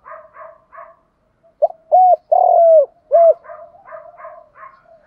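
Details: Morning lure call of a spotted dove, meant to stir another dove to fight and answer. Quieter soft coos in runs, then a loud sequence of two short coos, one long swelling coo and a short one, with soft cooing resuming.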